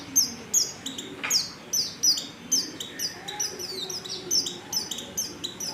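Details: Female Oriental white-eye lure call meant to get males singing; sharp, very high descending chips, often in pairs, repeated steadily over a low ambient hum.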